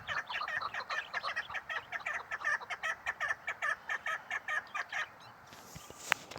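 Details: A female chukar partridge calling: a fast run of throaty chuk notes for about five seconds, then silence broken by a faint rustle and a click.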